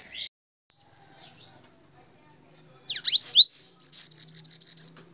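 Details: Bananaquit, known locally as sibite, singing while perched on a person's hand: soft high ticks, then a burst of steep sweeping notes, a rising whistle and a fast run of buzzy high trilled notes.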